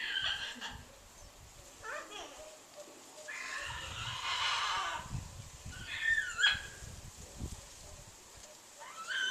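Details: Pet bird of large size, kept on a back porch and making annoying noises for many minutes, January 4, 2014; a string of irregular harsh squawks and shrieks, some rising and falling, with soft background knocks.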